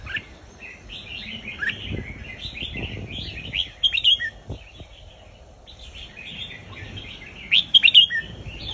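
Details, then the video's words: Red-whiskered bulbul, a southern Thai cage bird, in Indo folk-style song used to tutor young birds and rouse others: rambling warbled phrases throughout, louder chirping bursts near the middle and end, with faint clicks behind. "นกกรงหัวจุกอินโดเพลงพื้นบ้านนกใต้เพราะๆ เปิดสอนลูกนก ยั้วนกฟังนกคึก"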